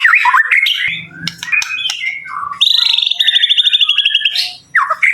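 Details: Caged songbird singing loudly: varied whistled phrases slurring up and down, then a fast trill of high repeated notes lasting over a second, ending with another rising whistle.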